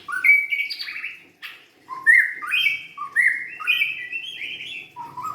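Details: White-rumped shama, young and forest-caught, sings bright piercing whistles and warbled, buzzy phrases, mostly in the upper range with a few lower notes, in rapid bursts separated by a short gap; faint hum in the background.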